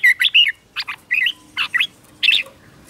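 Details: Short 'chè' style morning song from a red-whiskered bulbul under training: five quick clusters of two or three bright, fluty, slurred notes, spaced by brief pauses.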